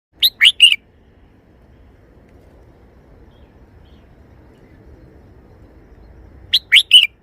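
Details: Red-whiskered bulbul kept as a cage bird, performing a three-syllable song style: two short bright phrases of three quick whistled notes each, one at the start and one at the end, separated by quiet.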